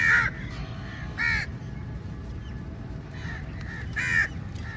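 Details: Crows in a large flock descending on food at feeding time, calling loudly; three harsh caws spaced about one and a half seconds apart over a steady low rumble of background noise.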